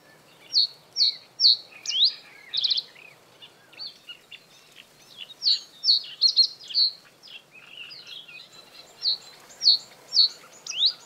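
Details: Male common reed bunting singing territorial song in breeding season, perched high on reed stems above water, giving short, halting phrases of sharp, high chirped notes with brief pauses, over faint background hiss.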